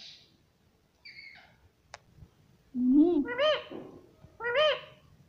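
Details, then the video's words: Pet parrot known for saying "mummy papa". Faint high notes and a click come first, then a lower voiced sound, followed by two strong arched, speech-like syllables about a second apart. "मम्मी पापा बोलता बातूनी तोता || parrot sweet voice"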